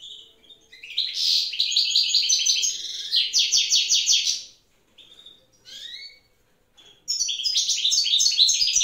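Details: In the evening a wild goldfinch sings during the female's incubation, pouring out fast rhythmic tinkling phrases, then a pause with a few sliding calls before another bright twittering burst.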